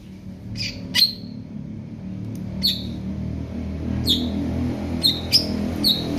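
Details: Jamtrok-style song of a greater green leafbird said to be ready for contest: sparse, piercing high chips, several quick notes clustered near the end, over a steady low rumble.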